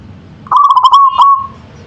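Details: One bubbling phrase of a local zebra dove in manggung song, a quick string of pulsed coos followed by an accented note and a smooth trailing tone.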